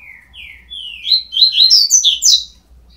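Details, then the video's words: Nestling double-collared seedeaters, 12 days old, start with two soft slurred notes that swell into a fast chain of sharp, high, wavering squeaks. "Filhotes de coleiro com 12 dias"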